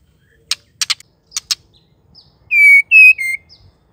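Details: A female white-rumped shama calling to stimulate males to sing: several sharp clicking ticks, then three strong whistled notes, steady and slightly falling, ending with a soft chirp.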